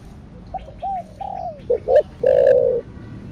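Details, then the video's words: Cooing spotted dove, thổ đặc thúc style (thổ sấm): a run of soft arched notes, then two quick low hoots and a sustained, loud, burry coo at the end. "Cu gáy THỔ ĐẶC THÚC Kích Bổi . ( THỔ SẤM )"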